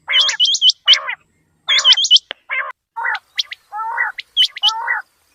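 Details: Morning quail calls used for quail hunting: clipped rising whistled notes in rapid runs of three or four, broken by lower rasping, nasal bursts from other birds.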